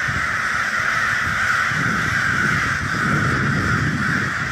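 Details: Massive crow flock overhead, a steady blanket of overlapping grating caws, joined by a low rumbling noise and a person speaking near the end.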